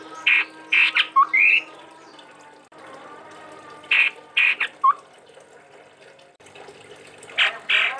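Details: Chestnut-rumped babbler from Sumatra, a lively singer: groups of two or three harsh, broad squawking bursts, each group ending in a short rising whistle, returning roughly every three seconds over a steady low hum.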